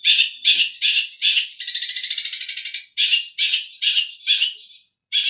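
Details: Tengkek Buto material from a long-tailed shrike: loud harsh squawks repeated about twice a second, broken by a buzzy rattling trill in the middle.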